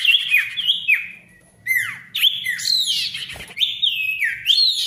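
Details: Ashy tailorbird song used to restart quiet tailorbirds: a steady stream of ringing whistled notes sliding down in pitch, with a brief pause near the second mark.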